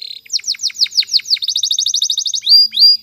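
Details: Canary singing for training: a steady series of descending whistled notes accelerating into a rapid, even trill, finishing with two sliding rising whistles.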